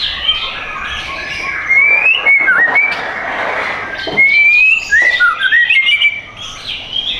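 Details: White-rumped shama in a cage at a bird shop in Tangerang Selatan, Indonesia, singing pure whistled notes that slide up and down, with fast chirps and twitters around the longer whistles.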